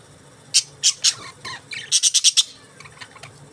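Budgerigar chirping in short, bright, scratchy bursts, first three spaced notes, then a quick run of five rapid chirps, with softer chatter trailing off.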